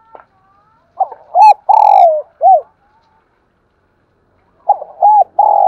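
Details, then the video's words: A spotted dove gives its morning coo twice, each phrase of rounded notes and a long drawn-out coo. A brief high ringing sound appears during the first phrase, followed by a pause of about two seconds. "Tiếng cu gáy gọi buổi sáng"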